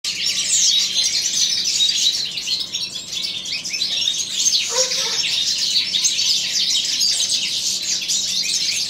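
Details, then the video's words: Several captive European goldfinches of the subspecies balcanica singing in an aviary as spring arrives: a dense, continuous chorus of high twittering, tinkling and buzzy notes overlapping without pause. "goldfinches singing"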